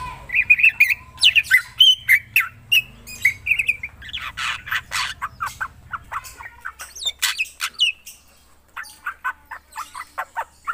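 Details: Black drongo singing actively: a long, dense stream of chattering and whistled notes, rapid and varied, at first over a low hum and then against a quieter background with sparser clipped notes.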